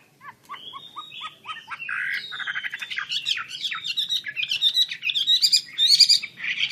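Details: Chinese hwamei singing vigorously with its wings spread: a loud, rich, varied song of quick repeated whistled notes, then rising and falling slurred phrases mixed with rapid buzzy trills, growing louder toward the end, over a faint low hum.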